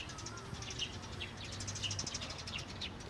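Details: Birdsong recorded at Jecheon station square on 9 April 2016, a Saturday: a lively scatter of bright, quick chirps from several birds, with a low mechanical hum and faint background voices.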